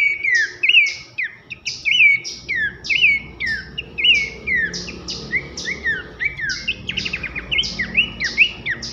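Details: Pelanduk semak, a babbler, sings a loud whistling masteran track meant to tutor competition birds: steady run of downward-swept whistles with bright rising notes, a quick buzzy trill near the end, soft low background rumble.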